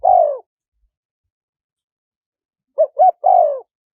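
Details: Spotted dove giving its wild-style coo pattern, used to lure wild doves: a falling coo, a pause, then two short notes and another long downward coo, on a silent background.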